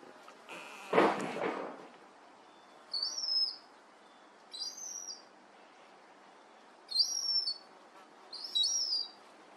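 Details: Juvenile herring gull siblings, newly able to fly and out of the nest, playing in a garden. After a loud thud early on, four high, thin whistled calls with downward-sliding ends come at uneven gaps.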